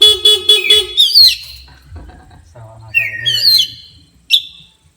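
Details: Oriental magpie-robin reacting angrily to a horn: repeated short tonal horn blasts, then fast whistled sweeps, a quick rising run of notes and one sharp high chip. Faint low thumping sits beneath.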